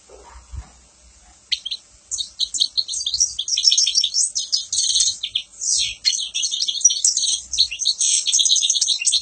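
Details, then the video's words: After a quiet start with a low knock, a European goldfinch launches into a dense, high, liquid twittering song of rapid chirps and trills that runs to the end. "تغريد طائر الحسون"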